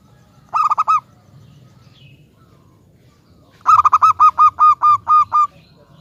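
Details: Local zebra dove, singing to make other zebra doves call back: a short stuttering burst of coos, a pause, then a longer run of about ten ringing notes, spaced evenly at first and then quickening.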